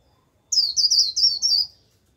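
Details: A single rapid phrase of about five linked, high-pitched twittering notes from a white-eye, used as a lure to bring a wild flock in, lasting just over a second.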